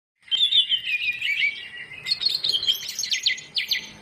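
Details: Greater green leafbird giving a full isian song, played as a lure to get lazy birds singing: high warbled phrases sliding downward, then quick buzzy repeated notes from the second second onward.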